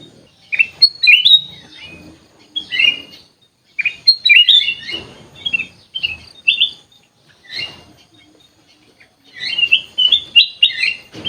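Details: Caged sooty-headed bulbul in an aviary delivering clusters of quick, liquid whistled notes in bursts of one to two seconds, separated by short silences, with faint rustling between phrases.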